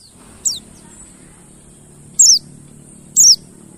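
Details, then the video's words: Mountain white-eye notes used as a lure to make quiet birds start singing: three sharp, very high downward-sliding whistles spaced about a second or more apart, with a soft low background murmur. "PANCINGAN BURUNG PLECI MONTY BAHAN MACET BUNYI AGAR GACOR NGALAS BUKPAR"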